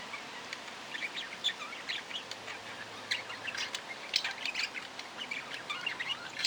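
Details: Budgerigar chatter: a steady stream of quick, high chirps, squeaks and short warbled notes overlapping without pause for the whole stretch, sounding like several birds calling at once, over a faint background hiss.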